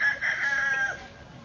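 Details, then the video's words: A brief, rich, drawn-out crow from a Kukuak Balenggek rooster at a ground-staked crowing contest in Solok city, fading away at the end. "perlombaan ayam kukuak balenggek dipancang tanah"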